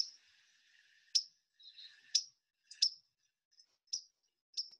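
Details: White-throated Sparrow giving its call, not its song: sharp, high chip calls, about six at uneven intervals over five seconds, with a faint hiss between them.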